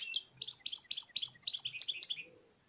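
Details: European goldfinch song: a fast, tinkling twitter of short, high, liquid notes delivered in a continuous rapid run for about two seconds, then it stops. Faint low thuds in the background.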